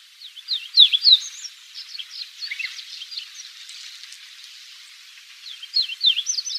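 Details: Chestnut bunting subsong recorded on Tsushima about 18 years ago: a soft, rambling jumble of high, thin twitters and slurred notes in two bursts, separated by a few quieter seconds.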